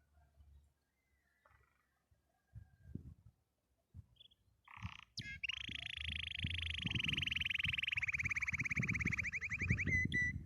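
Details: Canary singing happily: after a few seconds of scattered soft sounds, a long, bright rolled trill starts and runs steadily to the end, shifting in pitch partway through, over low rhythmic clicking in the background.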